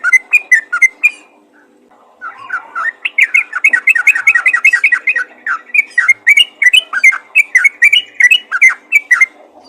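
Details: Rapid yellow-vented bulbul calls meant to summon other bulbuls: a short burst of whistles, a brief pause, then a long dense chatter of quick chirps and slurred whistles.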